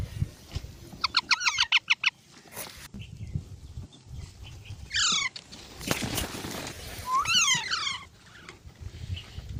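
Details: Parrot, likely a pet in India, giving quick stuttering harmonic chatter, then loud squeaky calls that curve downward and upward, with sharp clicks and a low background rumble between calls.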